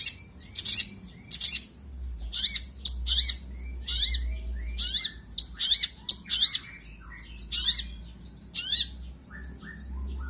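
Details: Long-tailed shrike singing vigorously with a rich, varied repertoire of borrowed phrases: bursts of harsh, high chattering notes alternating with shorter chirps and thin whistles, in uneven phrases roughly every second, over a low background hum.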